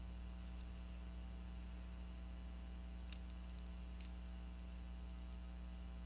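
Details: Constant electrical mains hum with faint static and a few soft ticks, with no animal calls.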